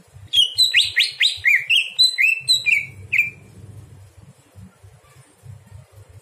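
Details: Greater green leafbird singing at night, kept as a master tutor for other birds: a fast run of slurred, rising-falling whistled notes near the upper middle range, about ten in three seconds, then quiet with low room rumble.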